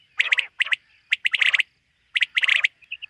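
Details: A common quail calling in the morning in a summer meadow, with three bursts of rapid, sharp chirps, each packed with harsher rasping notes, then a few soft short pips at the end.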